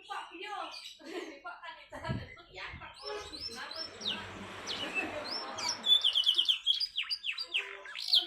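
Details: Canary in fast, tightly packed song with unique variations, used to prompt lazy canaries to sing. Buzzy notes and descending whistled sweeps give way to a rapid trill of bright repeated notes, then quick downward-swooping phrases over soft background hiss.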